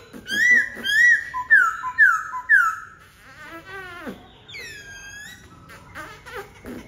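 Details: White-browed laughingthrush repeating loud, bright whistled upslurs about twice a second, then sliding down into varied warbling and squeaky, nasal notes, with a buzzy trill near the end.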